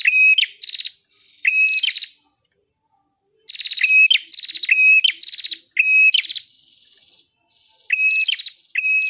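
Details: Masteran recording of bar-winged prinia: short phrases of a steady whistled note plus a buzzy high rattle, delivered in clusters separated by brief pauses.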